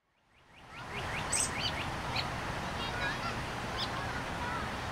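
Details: Fledgling American robin chicks in spring at a garden in Hermann Park, Houston, Texas, follow a parent begging for food: rapid thin, high squeaks, several a second, over steady rustling or wind hiss.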